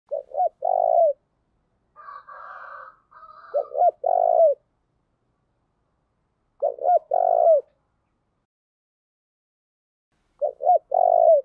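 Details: Spotted dove giving a fighting call meant to rouse other doves to fight and coo: four phrases, each two short rising-falling coos and a longer drawn-out coo, spaced about three seconds apart, with a faint hoarse murmur before the second phrase.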